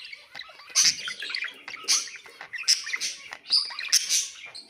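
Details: Budgerigar (Melopsittacus undulatus) warbling song, used as sounds to stimulate pet birds: a fast, scratchy chatter of high chirps and clicks, rising in bursts about once a second, possibly from several birds at once.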